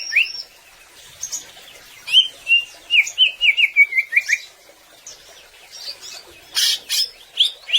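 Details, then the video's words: Greater green leafbird in gacor song meant to make birds sing with force; a string of loud chirped notes sliding downward, followed by scattered high squeaks and sharp bursts. "Suara Cucak Ijo Gacor Agar Burung Ngobra dengan Penuh Kekuatan"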